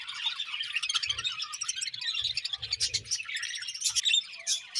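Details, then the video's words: Breeding pair of budgerigars chattering continuously, a dense, warbling stream of high chirps and squeaky twitters with no pauses, plus soft low thumps in the background. "𝑪𝒖𝒕𝒆 𝑩𝒖𝒅𝒈𝒊𝒆 𝑷𝒂𝒊𝒓𝒔 𝑪𝒉𝒊𝒓𝒑𝒊𝒏𝒈 𝑺𝒐𝒖𝒏𝒅𝒔"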